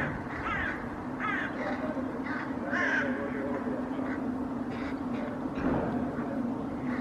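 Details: Hooded crows reacting to a common raven in a park in Helsinki, Finland, 8 May 2024: scattered harsh, grating caws, some overlapping, over a constant low hum and urban background noise.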